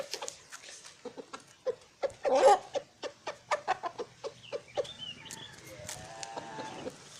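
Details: Chicken calling to hens: clipped, separate clucks spaced irregularly, with one louder, drawn-out squawk early on, then faint whistled notes and a soft tonal call near the end.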